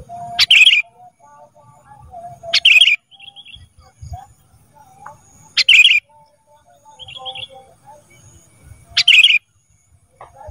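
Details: Ruby-throated bulbul (kutilang emas) recording used to train cage birds: loud, harsh bursts of bright notes repeating about every two to three seconds, with faint lower whistles between them and a soft low rumble underneath.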